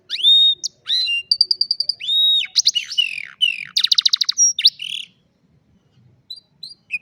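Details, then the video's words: Afternoon song of an old canary, mixing long clear whistles, quick repeated chips and dense buzzy trills over five seconds, fading to faint notes near the end. "Old Canary sings beautifully in the afternoon"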